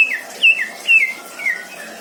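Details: Caged greater green leafbird kept at a home in Indramayu, singing a series of four clear, slurred, downward-sliding whistles spaced about half a second apart.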